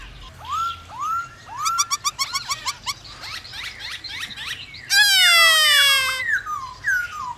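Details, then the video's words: White-browed laughingthrush in captivity singing to set off other birds: rising whistled notes, a quick chattering series, then a long loud harsh rasp with strong overtones and a final whistle. "Khướu bạc má hót kích bổi căng lửa hót cực sung/Tiếng khướu siêu nhạy bổi/mở lên là bổi hót ngay"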